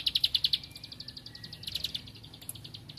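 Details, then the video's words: Singing while seeking a rival, a bar-winged prinia opens with loud, sharp, high clicks at a quick pace, then fainter repeated notes and another short, quieter burst. "Ciblek Padi Cari Lawan Gacor Temabakan Ngempel"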